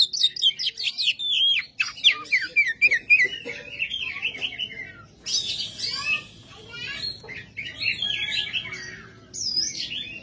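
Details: Oriental magpie-robin, used as a training recording for other songbirds, singing a loud, harsh, fast medley of high chattering and whistled phrases with descending sweeps and buzzy bursts, nearly continuous throughout.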